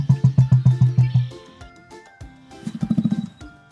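An emu gives a run of deep, throbbing drum-like thumps, about seven in quick succession, then a shorter burst of rapid low pulses, over soft music.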